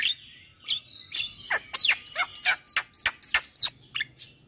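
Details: Javan myna song for prompting caged mynas that stopped singing: a held whistle, then a quickening series of scratchy, squeaky notes with falling slurs, some three per second, over a faint hum.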